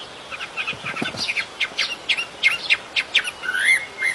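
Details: Fainter bird song in nature: a fast jumble of short high chips and twitters, roughly four per second, over a noisy hiss background with some low thumps near the start.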